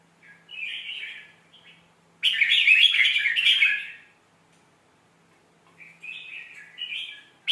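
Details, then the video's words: A red-whiskered bulbul sings, played to teach young birds: a soft warble, then a loud two-second burst of rich, jumbled whistles, a quiet pause, and gentle, rising closing notes. "เสียงนกกรงหัวจุก สำนวนเพราะๆ เปิดสอนลูกนก"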